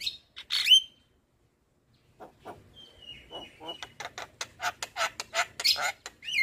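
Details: Javan myna, white-eyed form, used as lure song for lazy birds: a couple of sharp squeaks and a whistle, a quiet pause, then faint thin whistles building into rhythmic harsh chatter and a squeak.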